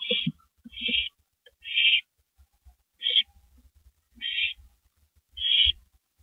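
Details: Porch at night, April 18, 2012, with two owls: six raspy hissing screeches at an uneven pace, with soft low chattering notes mixed among the first few.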